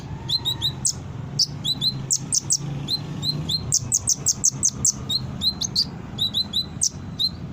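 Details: Energetic brown-throated sunbird song used as a lure to draw quick responses: a steady stream of piercing high chips and paired downslurs, clustering into rapid runs near the middle, over a faint low hum.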